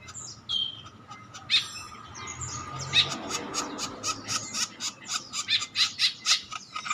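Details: Male green woodpecker kept as a candidate master bird for training others: sharp high chirps and squeaky notes, then a run of short, evenly spaced sharp calls about four per second near the end, over a low steady hum.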